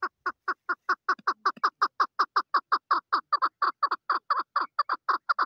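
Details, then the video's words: Female chukar partridge delivering a long, even chain of grating chuck notes, slightly slower than two per second, with a steady rhythm throughout and a faint low note partway through. "Female chakor best voice//Chakor voice//chakor sound//طایر الحجل// Keklik sesi"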